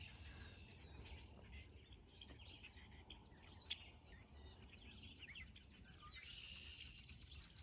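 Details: Red-winged blackbirds heard from a valley on an Appalachian Trail thru-hike chatter together in a dense chorus of chirps and buzzy trills, over a steady low rumble of wind and footsteps.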